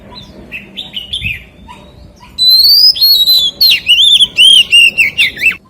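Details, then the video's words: Soft, scratchy warbling from a white-rumped shama gives way to its loud forest-voice phrase: a long upslurred whistle, then a brisk, ringing sequence of about eight swooping notes. "CHÒE THAN HÓT GIỌNG RỪNG SIÊU HAY"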